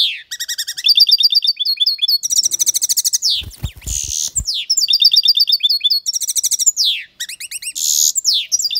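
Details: European goldfinch singing loudly and almost without pause, mixing fast buzzy trills, tinkling twitters and harsh nasal notes, with some soft rustling noise around the middle.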